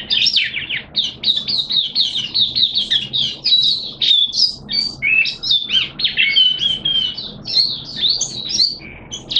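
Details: Continuous high-pitched warbling from a caged oriental white-eye on day two of a once-monthly deworm treatment, with quick jumbled chirps and sweeping whistled notes packed closely together.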